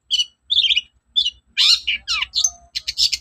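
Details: Long-tailed shrike singing in the morning, a lure song meant to make other shrikes sing: harsh chattering notes and scratchy bursts mixed with short whistles, delivered in quick separate phrases.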